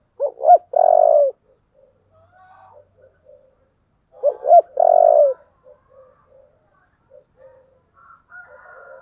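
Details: Fighting-style cooing of a Spotted dove with 'giọng thổ' voice, urged to fight. Two phrases roughly four seconds apart, each a pair of short hoarse notes then a long low coo, followed by soft scattered murmurs.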